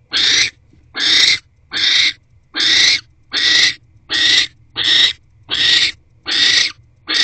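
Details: Barn owls at a nest box on 19 January 2024 around 6 pm as the male brings food to his mate; ten rasping, noisy hiss bursts follow one another at a steady pace, each under a second long.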